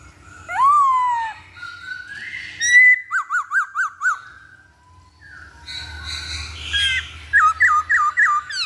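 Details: Masked laughingthrush singing, played as a lure to draw song from other birds: varied whistled phrases, a quick series of five zigzag notes, then more rapid repeated notes near the end.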